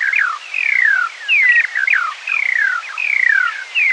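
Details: Eurasian skylark singing in the morning, slowed to half speed: loud, continuous song made of repeated long descending whistles broken by short sharp upward notes.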